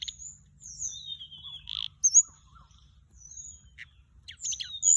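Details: Flycatcher song from a lure recording: long, thin descending whistles, one rough buzzy note, then a bright squeaky flourish and more high slurred whistles, with faint low murmurs beneath.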